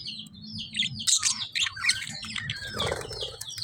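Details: Lovebirds give busy, shrill chirps and squeaks in short clusters, followed by a rough rustling noise, all over a low background hum.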